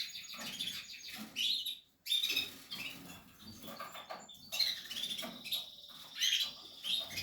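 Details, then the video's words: Portuguese harlequin canary at nesting time, singing bursts of fast high twitters and trills broken by short pauses, with a brief silence around the middle; indoor setting. "Canary,nesting Kanarien nestaufbau.Canarios portuguese harlequin Kanarya harlekin"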